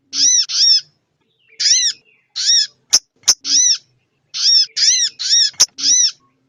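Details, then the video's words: Female crested jay calling to get males excited: harsh nasal notes in pairs and singles, separated by silent spells, with two loud clicks partway through and another late. "Suara sogon betina/buat ngecas sogon janta biar yaut buyi/ naikin birahi/emosi"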